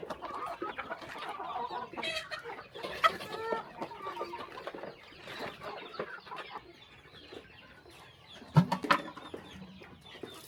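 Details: Chickens on a small countryside farm during morning feeding, a flock giving busy overlapping clucks and short squawks, with scattered clicks and knocks of feeding in the background.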